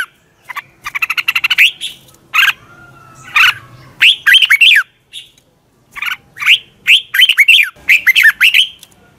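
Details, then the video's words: A red-whiskered bulbul's morning training song: a fast rattling series of clipped notes, then spaced, bright whistled phrases with upward and downward slurs, growing busier toward the end. "Luyện chào mào hót sáng"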